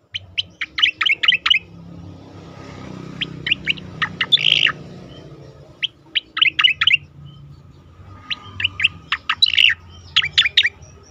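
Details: Singing Asian pied starling, recorded for training competition birds, delivers rapid runs of crisp, high chirps in groups of five to eight, separated by short gaps, with one harsher, rasping note midway; faint background hum.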